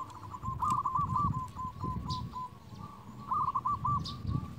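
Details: Local zebra dove singing to draw in rivals as a lure: two bouts of rapid, rhythmic cooing notes, each tapering into evenly spaced single coos, over heavy low rumbling noise.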